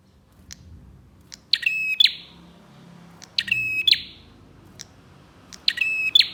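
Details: Song of a bar-winged prinia, played to prompt other prinias into singing: three harsh rattling bursts with a level ringing tone, each led by soft ticks, spaced about two seconds apart over quiet hiss.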